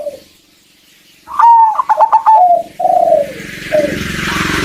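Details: Female zebra dove calling to a male to spur him into song: after a quiet pause, one loud phrase of a whistled note broken into quick stuttering pulses, then drawn-out falling coos, with hiss rising at the end.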